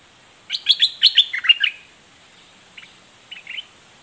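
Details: Southern Dok Taeng form of red-whiskered bulbul in its doubled, fierce song style: a rolling burst of about nine lively chirped notes, followed by a few quieter, distant-sounding notes against light background hiss.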